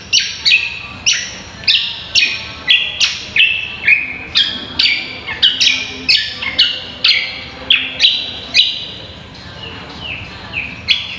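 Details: Energetic cucak kombo song, recorded as a training tutor for songbird contests: a rapid, varied run of ringing whistles and sharp chip notes, roughly two each second, with some phrases swooping down and others rising. A faint low hum sits underneath.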